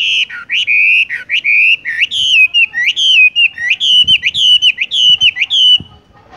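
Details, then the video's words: Horsfield's bush lark rolling ('ngerol') song: strong, clear whistled notes bending downward and then climbing, linked into an unbroken chain of about two per second, with soft knocks underneath. "wambie tung roll gantung langsung ngerol"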